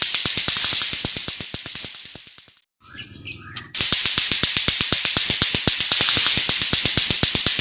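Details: White-rumped shama delivering rough, harsh song that copies a lato-lato clacker toy, used as a training master for other birds: fast, even clicking about four per second, a brief pause with high whistled notes, then the clicking resumes.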